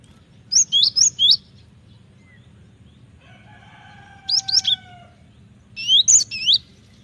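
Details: Cinereous tit lure for training birds: short bursts of high whistled and chipping notes separated by long pauses, with a rooster crowing faintly in the middle.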